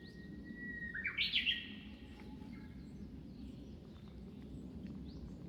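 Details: Japanese bush warbler singing at Zuisen-ji temple in Kamakura, Japan: a long steady whistled note, then a quick, bright, warbling flourish that ends the phrase, followed by quiet background with faint chirps.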